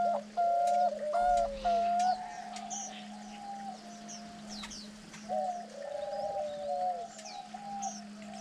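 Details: Diamond doves feeding nine-day-old chicks; loud, clear two- and three-part hooting coos open the sequence, then softer sliding notes follow, over distant high chirps of other birds and a continuous low hum.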